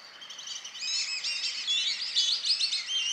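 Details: Amazon kingfisher, a young male, sings from lakeside vegetation in a park in Campinas, Brazil: bright, high notes and short clear whistles tumble quickly over one another, while a black-bellied whistling duck flock calls in the background.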